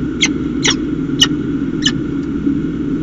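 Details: Peregrine falcon at the nest with a chick, recorded in late August; four spaced, sharp high chips about half a second apart, over a constant low hum.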